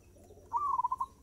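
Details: Singing zebra dove, song described as fast tempo: one soft, mellow phrase starting with a smooth rising coo and breaking into about six quick, evenly spaced pulsing notes. Low background hum.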